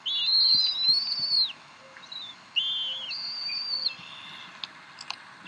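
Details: Bald eagles at the Decorah nest, evening of 26 April 2012 at 7:50 pm CDT, mother feeding three eaglets; high whistled squealing calls in drawn-out arching phrases, separated by short quiet gaps.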